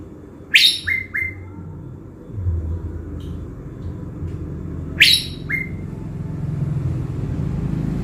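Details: Blue-winged leafbird kept as a decoy in Bình Thuận, Vietnam. Two harsh, sharp chattering bursts about four seconds apart are each followed by one or two brief level whistles, with a continuous low rumble in the background.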